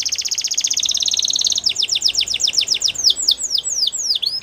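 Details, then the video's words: Waterslager canary song: a long, fast, bright trill gives way to spaced, descending whistled notes, with a faint low background hiss throughout. "Canary Waterslager Singing"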